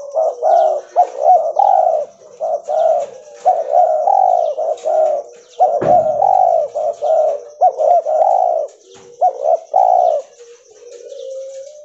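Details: Spotted dove, an all-white albino mutant, cooing steadily in rolling multi-note phrases of soft low notes, with one sharp knock midway and a faint high whine throughout.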